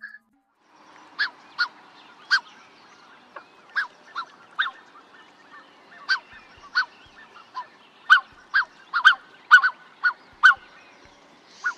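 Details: Black-necked swan, played to help recognise it in the field at Petrel wetland, Chile, giving soft, short honking notes, mostly single and irregularly spaced, about one per second, over a quiet background.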